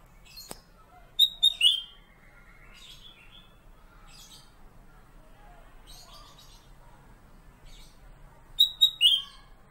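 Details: Caged black-capped bulbul (kutilang emas), a favourite master bird for training magpie-robins, sings two clear whistled phrases, high then falling, about seven seconds apart. Softer chirps and scratchy notes fill the gap between them.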